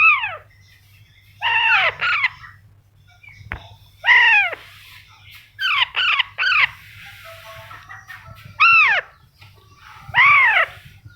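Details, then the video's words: Baby Alexandrine parakeet, a pet parrot, giving loud harsh arched squawks in short bursts of one to three notes, spaced every two to three seconds with quiet gaps and a low hum beneath. "alexandrine baby parrot"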